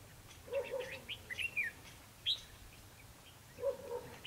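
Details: Red-whiskered bulbul recorded during a bird-trapping session in Vietnam on 21 December 2015, giving short, bright chirps and rising whistled phrases, with two lower warbled notes near the start and end, over faint hiss.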